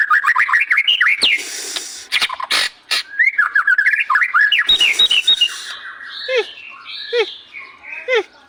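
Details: Vigorous white-rumped shama song: rapid, rolling whistled notes sliding up and down, a hissing burst, then more fluent warbled phrases ending in repeated downward-swept notes, with scattered clicks between.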